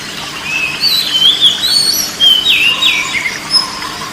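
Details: Oriental magpie-robin singing, meant as calming therapy for a stressed or silent bird: a flowing run of bright whistled notes, sweeping up and down and linked together, with faint hiss behind.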